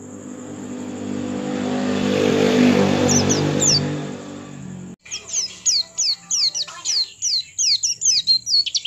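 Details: Oriental white-eye song meant to prompt other white-eyes to sing. Broad rumbling noise fills the first half, then high, sharp, descending chirps repeat rapidly, roughly three per second, above a thin constant whine.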